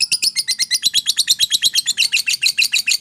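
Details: Long chattering of a fighter-type lovebird, used to stimulate quiet lovebirds: rapid, rasping high chirps repeated evenly, roughly seven per second, forming one unbroken buzzy stream.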